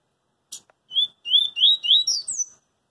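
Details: Double-collared seedeater singing in the street, a song in the coringa style: a short sharp note, then a run of slurred, rising whistled phrases that grow louder and climb higher toward the end, over about two seconds.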